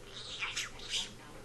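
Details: A pet budgerigar, a male, chatters in quick, scratchy, high-pitched bursts of its talking warble while perched on its owner's head.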